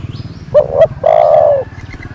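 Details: Nok tor, a decoy dove kept to attract wild doves, utters two quick low coos then one long sustained coo, with faint low rumbling behind.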